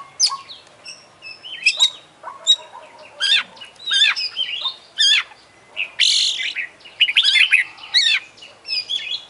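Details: Oriental magpie-robin singing hard with beak open and tail spread, a dense mimicry-filled song of high, scratchy, rapidly stuttered notes and quick rising and falling whistles, with one harsh burst in the middle.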